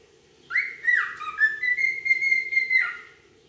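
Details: Wild cockatiel (Nymphicus hollandicus) giving a clear whistled call: a short upslurred note, a dip, then a long level whistle held for over a second before dropping away, with rich overtones over a quiet background.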